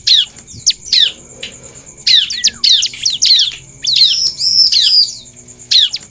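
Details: Bar-winged prinia singing energetically, with female calls also included; sharp downward-sweeping chirps given in quick bursts with pauses, and a steady high whine running throughout.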